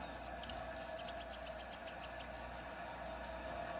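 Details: Pet male Mountain canary seedeater singing indoors in winter: a few high whistled notes, then a fast, even trill of about sixteen bright, very high repeated notes lasting nearly three seconds over a soft hum.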